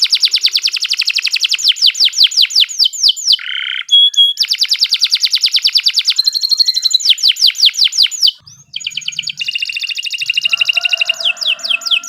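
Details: Canary in full nonstop song, recorded as a tutor for beginner songbirds: rapid rattling trills and clusters of descending whistles follow one another almost without break, with a short low buzzy note and a brief dip near the end.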